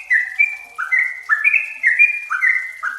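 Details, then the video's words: Yellow-vented bulbul, known locally as trucukan or merbah cerukcuk, used as a lure to get a kept bird singing quickly: fast, tightly spaced bubbling whistled phrases of stepping notes, repeated about every half second. "Pancingan TRUCUKAN BAHAN agar cepat bunyi dan gacor"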